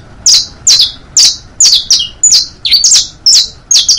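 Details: Saffron finch singing for youngsters to copy (bastos, pintos, finos styles): crisp, regular high chirps, each a fast downward slur with a short trailing buzz, over two per second, clean and close.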